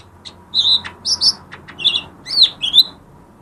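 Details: Lesser green leafbird song meant to trigger silent birds: clear whistled notes at a steady high pitch alternating with higher doubled chirps and short clicks, in a brisk, varied phrase.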